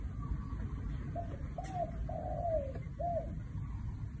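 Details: Spotted dove giving a '1 kook' style coo phrase: two short hollow notes, a drawn-out downward-sliding coo, then a brief closing note over low rumbling background noise.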